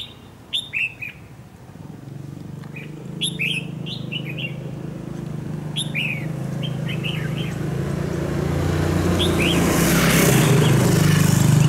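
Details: Dark-bibbed red-whiskered bulbul, caught in the wild and set out as a fighting decoy in a trap. Clear whistled, slurred phrases recur every couple of seconds, then a swelling rushing noise drowns the background.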